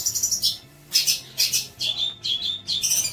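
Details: A long-tailed shrike song meant for tutoring juvenile birds, made of short clusters of high scratchy notes and thin whistles separated by brief pauses, with a low electrical hum in the background.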